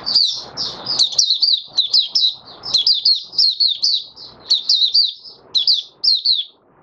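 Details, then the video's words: Oriental white-eye (Mata Puteh Raja) in open singing on the fifth day after its monthly deworming, January 2022. Rapid high twittering phrases of short slurred, down-curving notes run almost continuously, with soft rustling noise in the background. "Mata Puteh Raja Video 1 buka sing"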